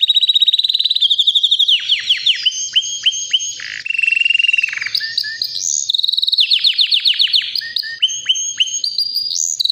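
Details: Three-year-old white canary singing nonstop: fast rolling trills, steep descending slurs and sharp chirps run together in long varied phrases, with powerful volume and no other sounds.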